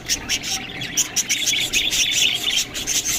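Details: Several budgerigars eating green food give quick, high chirps and scratchy warbles in brief bursts, with short gaps between busy stretches of sound.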